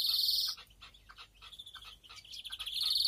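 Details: European greenfinch in a breeding aviary, 2021: a loud buzzy wheeze at the start, quieter scattered chirps and twitters, then a second strong wheeze at the end.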